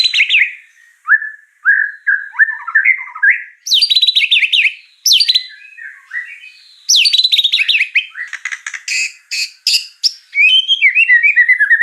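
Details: Full fill-in song of the white-rumped shama: jerky whistled slurs, clusters of sharp falling notes and dense chattering runs, changing phrase every few seconds.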